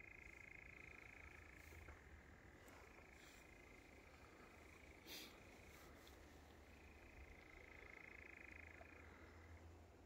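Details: European nightjar churring on Wiggonholt Common, a steady mechanical trill held around a narrow band with brief pitch shifts, running almost the whole time; faint low rumble beneath.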